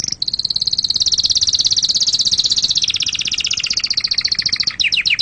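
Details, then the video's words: Canary song used to teach chicks and for mating: one long, rapid, high-pitched trill that drops slightly in pitch and ends in quick swooping notes. "تغريد كناري أصلي لتعليم الفراخ وللتزاوج وتهييج طيورك"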